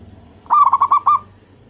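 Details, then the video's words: A local zebra dove in vigorous song, used to prompt other zebra doves to reply; one brisk phrase of pulsed, throaty coos, the last note slightly drawn out. "perkutut lokal langsung gacor, sekali dengar suara burung perkutut ini bunyi"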